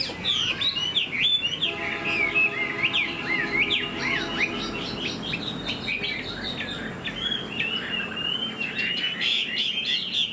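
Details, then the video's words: Caged Chinese Hwamei in fresh new plumage, fanned tail flicking, pours out an energetic, varied whistled song of quick rising and falling notes, with a steady humming tone underneath for a few seconds. "Chim họa mi đuôi xòe, hót vẩy đuôi khướu cực đẹp"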